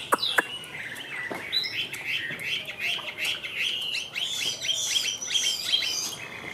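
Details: Caged Chinese hwamei, Tam Hoàng type, pouring out quick varied whistled phrases and trills, with a few sharp clicks near the start.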